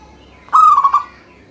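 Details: One phrase from an actively singing local zebra dove used to start other doves singing: a level, ringing coo that trails into three quick bubbling notes, with quiet hum behind.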